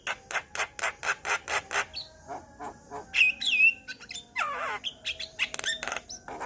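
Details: Male Javan myna in song said to make other Javan mynas start singing: opens with a regular series of about eight harsh rasping notes, then mixes a looping whistled phrase, a descending scratchy sweep and dense clicking chatter.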